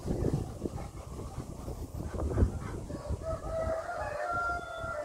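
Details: Rooster crowing on a windy day at Kadoorie Farm, a hoarse crow that rises and then holds a long steady note over strong wind rumble and rustling.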